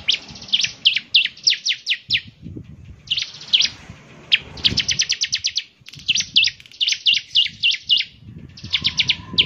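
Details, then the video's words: {'caption': 'Actively singing bar-winged prinia with a distinctive voice that gets others of its kind calling: bursts of rapid, thin, high chirps and upward-sweeping notes, separated by short gaps, with faint low background rumble.'} "ciblek semi gacor, suaranya yang KHAS bikin ciblek semi IKUT bunyi"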